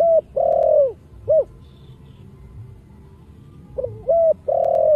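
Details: Spotted dove cooing in the prized Thổ Sấm voice, played to spur other doves into calling. A long falling croo ends one phrase, a short coo follows, then a new hooted phrase closes with another long croo. Soft low hum underneath.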